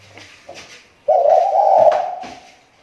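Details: Spotted dove lure bird from the Riau Islands, its voice recovering after a recent slump. A single drawn-out, husky coo follows faint knocks, with light room noise.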